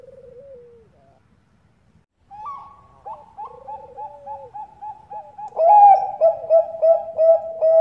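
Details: Lure calling of a Bangkok zebra dove, female to male: a faint low coo, a short silence, then a quiet rapid series of soft coos that swells into loud, rhythmic, rounded notes at about three per second.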